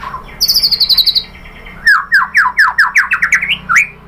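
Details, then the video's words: A white-rumped shama lure phrase: a high, even trill of about ten beats, a short pause, then a run of loud, quick down-slurred whistles ending in an upswept note. "MURAI BATU jadi NYAUT GACOR BONGKAR ISIAN ¦ PANCINGAN MURAI ¦ SHAMA BIRD"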